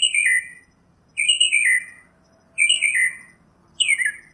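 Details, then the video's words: Northern mockingbird in nature repeating one harsh, slurred phrase that falls in pitch, given four times about every 1.3 seconds. "Birds Singing - Northern Mockingbird"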